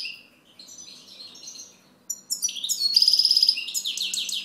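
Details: A European goldfinch song with quiet, warbling high notes, then loud, jangling twitters, a half-second metallic trill and more rapid, bright chatter to the end.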